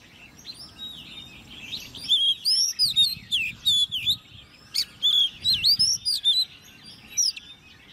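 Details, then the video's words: Caged Oriental magpie-robin, hand-reared and ten months old, competition singing: after two quiet seconds, loud bursts of sweet, looping whistles and sharp chips follow in rapid, uneven succession. "Chú Choè Than Nuôi Non 10 Tháng Lồng Mỏ ''SIÊU DỊ'' Hót Đấu"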